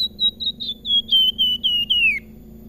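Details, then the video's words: Salakan whistling its sweet, flute-like song: a quick run of about nine clear notes, at first level then sinking step by step, the last drawn out and falling, followed by quiet hum. "Salakan Gacor Besetane dan sulingan merdu pisan"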